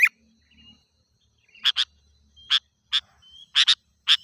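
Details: Sooty-headed bulbul sounds used as a wild-bird lure: paired sharp chips and single clipped notes, with a few faint thin whistles between them.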